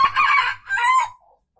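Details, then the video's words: Red junglefowl crow from Aceh, a call used to lure birds: a loud, harsh two-part crow lasting about a second, the second phrase ending in a falling drawn-out note, then quiet. "Ayam Hutan Aceh # Pikat Ori"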